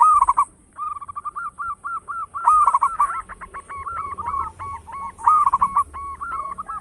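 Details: Loud, lively local zebra dove singing, its song used as a lure: near-continuous runs of quick, bubbling coos repeated in short phrases, rising and falling slightly, with louder stuttered bursts; a constant thin high-pitched whine sits behind.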